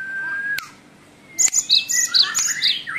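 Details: Great tit with a song of many variations: a level whistle fades into a faint rising tone, then a busy run of bright high two-pitched chirps, punctuated by a few sharp clicks.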